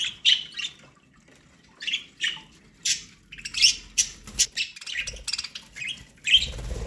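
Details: Budgerigars kept as pets, eating corn, make sharp squawks and chirps in uneven runs, some notes rising steeply, with faint rustling in the background.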